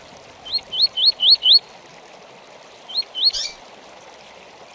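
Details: "Tui tui" song of a double-collared seedeater (coleiro), a tutor recording for training birds: five rapid upslurred whistled notes, a pause, two more whistles ending in a rough high chip, over even hiss.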